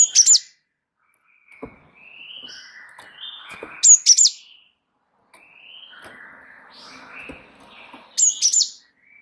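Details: Active Java sparrow (gelatik wingko) in rolling tutor song meant to provoke other birds: clusters of two or three piercing high chirps roughly every four seconds, with softer whistled and warbled notes filling the gaps between them.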